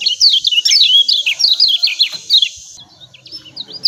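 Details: Lemon-bellied white-eye uttering a quick series of bright, downslurred 'ciak' chirps, about a dozen in under three seconds, followed by near quiet and a faint final note. Used to encourage captive birds to sing.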